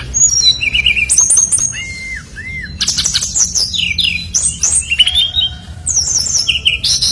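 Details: Lure recording of a brown-chested jungle flycatcher in full song to make other birds of its kind sing; varied high chirps, two clear arched whistles, then rapid jumbled slurred notes and clicks.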